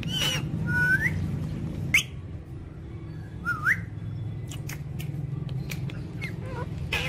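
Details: Talking ring-necked parakeet kept as a pet produces two short rising whistles a few seconds apart, separated by a sharp click, with scattered faint clicks and a steady low background hum.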